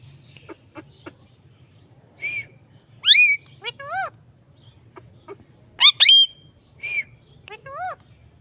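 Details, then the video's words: Parrot talking in scattered bursts: short clicks and chirps mixed with loud, swooping, strongly harmonic squawks and whistled rising notes, a low steady hum underneath. "Amazing parrot talking video"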